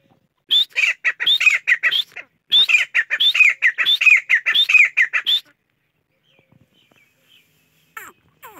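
A chachalaca gives loud, harsh, rapidly repeated notes in two bursts of about two and three seconds, then a few faint notes after a pause.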